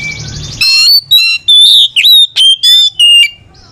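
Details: Oriental magpie-robin in a back-and-forth singing exchange to stir a reluctant singer: after a soft buzzy start, a string of loud ringing whistles, twisting slurred notes and harsh rattles, each about a third of a second long.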